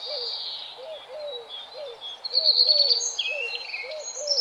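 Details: Birds chirping in an outdoor ambience: a continuous high, twittering chatter that swells into a louder trilled run midway, over a lower rhythmic series of short bent notes repeated about three times a second.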